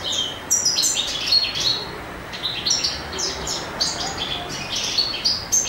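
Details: Courting male European goldfinch in spring: sparkling, very high twittering song with quick chirps, clipped whistles and buzzy trills in bursts separated by brief gaps.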